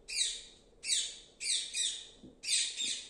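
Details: Alexandrine parakeet, filmed as a mother and baby parrot, gives harsh, raspy, high-pitched squawks: about five bursts roughly every two-thirds of a second, some doubled, with no other sounds standing out.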